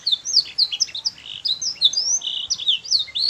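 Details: Canary song used as a master recording, played repeatedly to teach young canaries to sing quickly: rapid, varied high chirps and short whistled notes, many falling sweeps and one sustained buzzy note, packed densely with no pauses.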